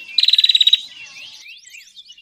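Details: Bar-winged prinia call used as a lure sound for trapping. It begins with a loud, rapid run of about eleven sharp, even notes lasting under a second, then fades into softer high twittering.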